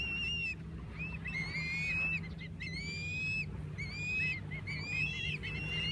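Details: Osprey at a nest with nestlings, giving a series of thin, high whistled calls, some rising and others flat, repeated in short bursts over a steady low hum.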